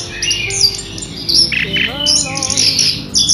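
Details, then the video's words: Loud, clear rolling song of an orange-headed thrush, used as a lure and tutor recording: bright high whistled phrases and buzzy bursts, then a run of lower wavy, warbling notes near the end. "anis kembang ngerol keras bening"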